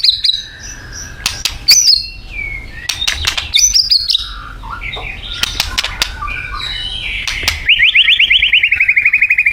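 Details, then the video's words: Isian of a Thai white-rumped shama. High whistles and loud clicks give way to scratchy warbling, then a rapid, pulsing buzzy trill to the end. "Murai Batu Thailand bikin ngeri isiannya"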